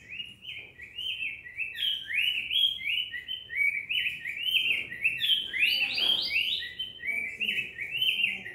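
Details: Persistent cinnamon tanager song, a steady stream of fast, buzzy-edged up-and-down slurs, with some phrases jumping higher and brighter near the middle.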